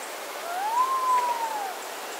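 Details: A resplendent quetzal in the forest of the Saverge Hotel, Costa Rica, gives a single clear, mellow whistle, rising then gently falling over about a second, against a soft hiss of background noise.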